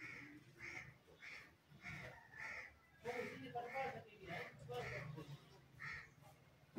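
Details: A green rose-ringed parakeet, a talking pet bird said to imitate human speech, utters a steady series of around ten clipped, scratchy calls with chattering, voice-like mumbles in the middle, over a low electrical hum.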